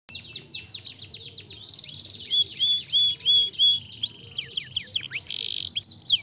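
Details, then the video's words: Canary song meant to stimulate a lazy canary to sing: dense high twittering with rapid downward-sweeping notes, buzzy trills and short rising whistles, mostly high-pitched, with a faint low hum underneath. "يحفز بسرعة صوت نقيق الكناري الكسول"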